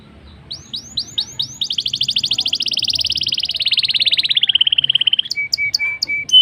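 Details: Black-throated canary singing, used to prompt canaries into song: rising chirps lead into a long rapid trill that slowly falls in pitch, ending with short flat whistles.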